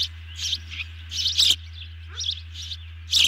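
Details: Feeding time at an osprey nest: piercing, high chirps in uneven bursts with sharp clicks, one short lower note midway, continuous low hum beneath.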